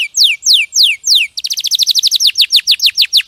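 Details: Champion canary used as song tutor for other birds: four slow, loud whistles sliding downward, then an abrupt switch to a rapid series of short descending chips, repeated about five times per second.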